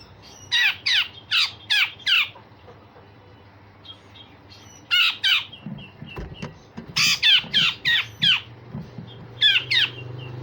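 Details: Grey-cheeked bulbul with coarse rasping notes and sharp shots, kept as a tutor for songbirds: groups of four to six loud buzzy calls separated by short pauses, with faint low background hum.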